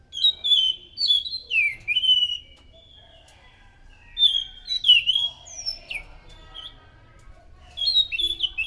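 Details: Loud anis macan thrush song played to lure in other thrushes: varied whistled phrases with slurred and chirping notes come in three groups with pauses between them, a faint low hum underneath.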